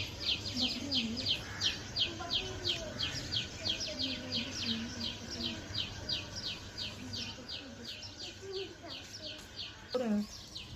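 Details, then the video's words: Rainy-day forest scene where a bird repeats short, high chirps about three times a second in a long, even series, with soft lower calls beneath and a steady low background rumble. "birds chirping sound"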